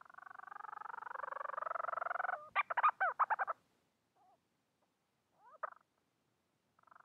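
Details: Bermuda petrel calling for a mate: a long, fast-pulsed, nasal moaning note that slowly rises and strengthens for over two seconds, then a burst of sharp staccato notes, and later brief rising upslurred notes, with no other sounds.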